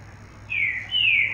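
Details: Female yellow-bellied seedeater, nest-raised captive bird: two clear whistled notes, the first sliding gently downward, the second higher, flatter and longer, over a faint low hum.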